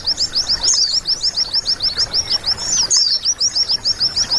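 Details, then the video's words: Training recording of white-eye song for caged birds: evenly spaced, shrill, hooked chirps repeated rapidly, with occasional busier twittering flourishes. "Terapi Burung Pleci Masteran agar cepat gacor dijamin emosi"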